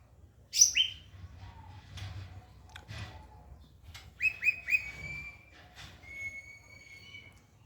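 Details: White-rumped shama song for training other birds: a sharp high downslurred double note, scattered clicks, three quick rising whistles, then a long, steady, thin whistle held near the end.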